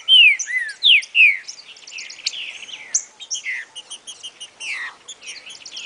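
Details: Green-winged saltator song used to train a young bird: three loud, slurred, high whistles in quick succession, then a faster run of softer chattering and twittering notes.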